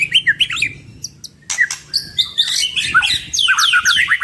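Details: Two white-rumped shamas in vigorous song full of fill-in phrases, opening with evenly spaced short whistles, then a pause and a loud jumble of sharp chips, sweeping notes and chattering.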